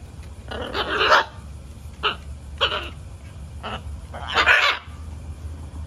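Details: Hormonal macaw facing an indifferent macaw indoors, calling in a run of five raspy, loud squawks over about five seconds, the first and last longest and harshest, shorter sharp calls between, with a low hum beneath.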